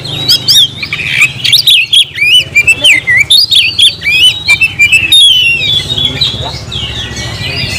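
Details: Kept oriental magpie-robin singing energetically: a rapid run of loud, varied whistled notes with sharp upward and downward slurs, delivered in short bursts with brief gaps, over a low background hum.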